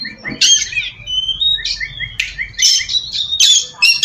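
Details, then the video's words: Oriental magpie-robin song played as a lure to bring in other magpie-robins; quieter, with short whistled notes and harsh buzzy bursts spaced irregularly over a faint low background hum. "suara pacingan burung kacer ampuh!! buat mancing kacer bahan dijamin langsung nyaut"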